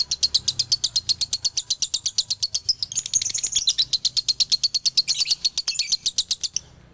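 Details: Rapid rattling dobelan from a male lovebird, Galendo Ciamis line, its high staccato chirps thickening into a louder, rougher burst in the middle before the run stops abruptly.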